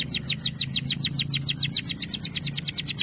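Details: Male canary singing to tutor young canaries. Even rolling trill of bright downslurred notes, roughly seven per second, over a faint low hum.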